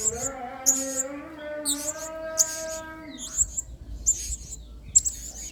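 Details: Active blue-crowned hanging parrot used as a model song for training: regular shrill high chips and short buzzy notes about every second, while a lower falling tonal sound plays in the first half.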